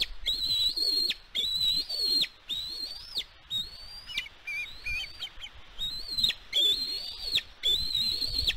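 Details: Bald eagle at a nest on Catalina Island, California, USA, recorded by a nest camera on 16 May 2022: high, thin whistled notes with a slight rise, given in quick strings of chittering calls with short pauses between bursts.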